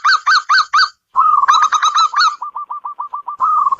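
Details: Zebra dove of a local type, kept in a house as a fortune bringer: four loud ringing coos, a rapid rolling burst, then a steady string of short clipped notes.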